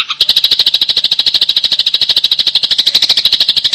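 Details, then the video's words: Eurasian tree sparrow in fighting mode, its 'tembakan rapat' rapid-fire style: a dense, fast string of sharp, high chirps, about ten per second, held steady and even for nearly four seconds. "TEMBAKAN RAPAT || GEREJA TARUNG GACOR || BURUNG GEREJA"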